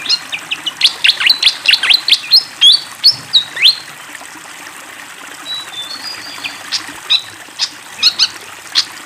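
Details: Fantail in lively song beside flowing water: a rapid burst of high chirps and sliding whistles, then a quieter stretch of thin, level whistles and spaced sharp chirps over constant trickling water.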